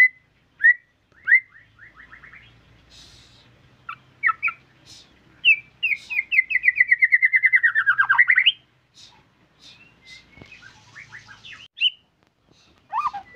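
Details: White-rumped shama in full, energetic song: scattered whistles and chips, then a fast rattling trill of rapid notes sliding downward before rising sharply, followed by varied short phrases and a final descending whistle.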